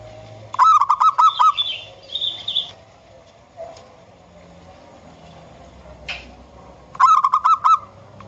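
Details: Local wild zebra dove, a lure recording, two quick phrases of rapid clear pulsing notes several seconds apart, with a few faint higher chirps from another bird in between.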